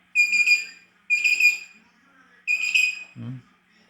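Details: Three-year-old pet parrot imitating a song: three clear, tonal whistled phrases with rich overtones, each about half a second, the last followed by a brief low grunt-like sound.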